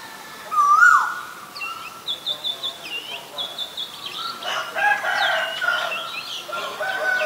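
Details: Asian koel calling amid a busy bird chorus: one loud, clear whistled note swooping upward early on, then a quick series of short repeated higher notes, with many other birds chirping throughout.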